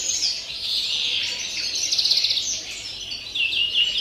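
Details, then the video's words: Rapid chattering song of a European greenfinch, campero style, recorded 30 December; quick irregular chirps, about four per second, with a rattling trill midway and a short pause before the song resumes. "verderón cante puro campero"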